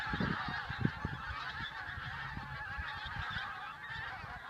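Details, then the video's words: Pink-footed geese honking in a continuous flock chorus at Campfield Marsh, Bowness-on-Solway, during a blizzard, with strong wind buffeting and low rumbling gusts over the calls. "Blizzard Geeses"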